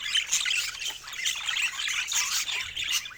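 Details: Lively pet budgies chatter in dense, overlapping high warbles and scratchy squawks, swelling and dipping in short waves.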